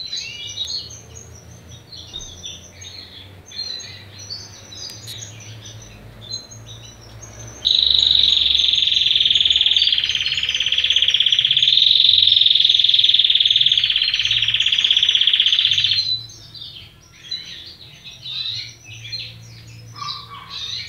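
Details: A young Belgian canary chick just beginning to sing tries out its first song: a bright, rolling, high warble between softer chirps.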